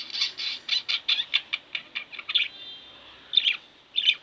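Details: Two pet budgies indoors give a quick series of short chirps at an even pace, then a brief pause, followed by two louder chattering bursts near the end.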